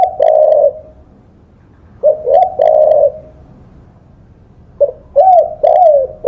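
Spotted dove cooing in soft, mellow phrases, each a few hollow coos with a short rising-falling inflection, repeated after pauses of a second or two.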